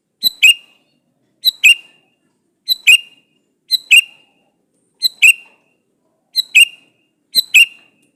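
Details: Sooty-headed bulbul male calls for a female with seven short two-note phrases, a brief high note followed by a richer slurred note, repeated roughly every 1.2 seconds.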